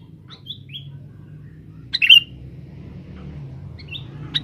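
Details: Male sooty-headed bulbul kept as a forest lure gives a few faint, short whistled notes, then one louder, clipped chirp midway, with another soft note near the end, against a low continuous rumble.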